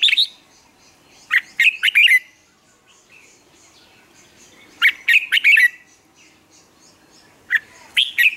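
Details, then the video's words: Morning song of a captive Red-whiskered bulbul, recorded as lure song to train birds: short liquid, whistled phrases of three to five notes repeated about every three seconds, with quiet gaps between. "Luyện chào mào hót sáng, hót hay, kích bổi sổ giọng nhanh 2020, luyện chào mào hót căng lửa"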